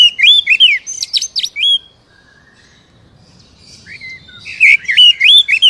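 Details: Oriental magpie-robin song used to prompt a captive bird into singing: rapid bursts of varied whistles and sharp buzzy chirps, a quiet pause in the middle, then another fast run of rising and falling whistled notes.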